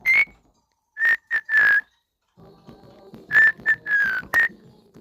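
A cockatiel sings clear, loud whistled notes in quick bursts, some short and some drawn out.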